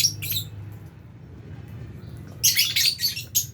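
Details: Fisher's and albino lovebirds feeding in a simple aviary shared with budgies; a brief shrill chirp opens, then after a quiet gap a fast run of piercing, high squeaky chirps.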